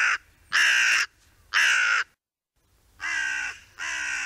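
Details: Hooded crow in a meadow, foraging and digging into an acorn while another crow looks on; harsh, hoarse caws, five drawn-out calls of about half a second each with short pauses between.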